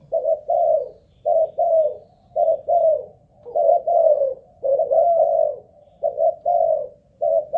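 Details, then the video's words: Malaysian-line spotted dove kept as a ground lure and tested for lasting song delivers paired hoarse coos, each pair followed by a short gap, the pattern repeating steadily through the recording. "Cu Gáy Mồi Đất || Test nước bền chim cũng thấy khá ổn"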